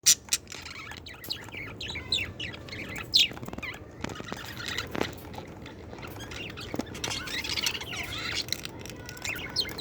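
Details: Budgerigars playing with a mirror chatter in quick, high chirps and scratchy squawks, with clicks and taps between calls.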